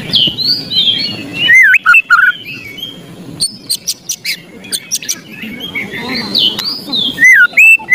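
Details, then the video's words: White-rumped shama, agitated, giving ketrekan to stir reluctant birds: sweeping whistled phrases broken by clusters of loud harsh rattling clicks, then more whistles closing the passage. "ketrekan murai emosi"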